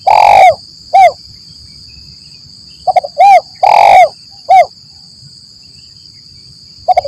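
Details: Spotted dove calling persistently, a lambung Kuk 1 Mersik lure for forest trapping: a long coo and short coo, then a quick pair of soft notes leading into short, long and short coos, the phrase repeating.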